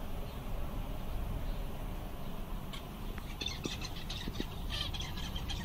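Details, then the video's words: Seven zebra finches, content on a summer day, let out scattered short, sharp chirps in the second half, some doubled, against a low rumbling background. "Zebras finch/mandarins diamante, todos contentes!"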